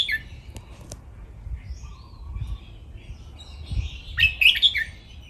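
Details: Red-whiskered bulbul cage birds in playful song for training: faint warbles and clicks, then one loud, tumbling phrase of bright chirps near the end, with soft low bumps.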